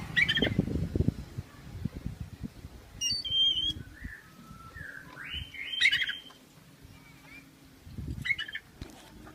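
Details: Oriental magpie-robin in a cage that is being shaken, cheerful and making strange sounds: rattling thumps at the start and near the end, brief chirps, and slurred rising whistled notes in the middle.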